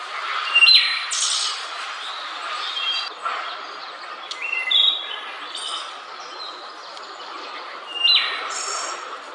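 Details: Central Park, New York: a wood thrush gives several separate fluted whistles with rough high trills, more distant and softer, with light background noise and faint clicks between phrases.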